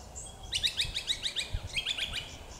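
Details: Golden whistler at Wattle Park, Melbourne, Victoria, Australia, 21 August 2021, singing a quick run of about seven bright, ringing notes, a brief pause, then a shorter phrase, over faint low rumble; Golden whistler.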